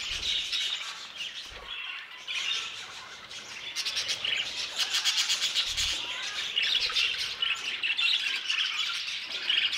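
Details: Aviary flock of budgerigars: steady high chirruping and warbling from many birds, swelling into a rapid buzzy, clicking chatter in the second half.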